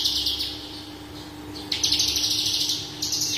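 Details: Branjangan parva bush lark (Mirafra javanica), singing persistently in a full, varied style for use as a tutor recording. High scratchy notes, a soft pause, then quick repeated bright chirps in tight pulses over a constant hum.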